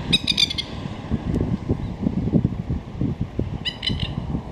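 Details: Masked Lapwing at Corrimal, NSW, Australia, in spring, with a single chick on the move and its parents close by: two short bursts of harsh, rapid 'kek-kek-kek' notes over a steady low rumble of traffic or wind.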